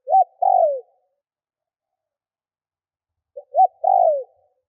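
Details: Spotted dove lure bird cooing to draw in wild birds: two phrases roughly three and a half seconds apart, each a short rising note then a long, slightly wavering coo dropping at the end.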